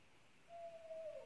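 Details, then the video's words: Owl giving one steady, mid-pitched hoot lasting under a second that dips slightly at the end, heard faintly over a soft background hiss. "Owl call"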